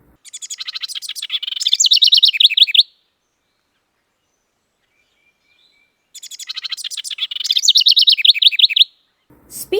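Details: House Wren, a common small brown migrant in southeast Saskatchewan/southwest Manitoba towns that sings loudly and incessantly in spring, gives two bubbling song bursts, each opening with scratchy chatter and rolling into fast rippling trills, about three seconds each.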